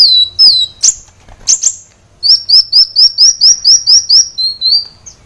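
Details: High-pitched kolibri wulung sunbird song used to train caged birds: a few sharp slurred notes and chips, then a steady series of about ten quick, thin downslurred whistles at an even pace.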